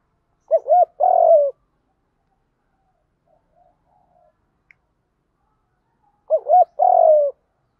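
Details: Spotted dove 'đồng gù đấu' fighting coo used to lure wild males: two matching phrases of a wavering double hoot and a long falling coo, separated by about five seconds of near silence.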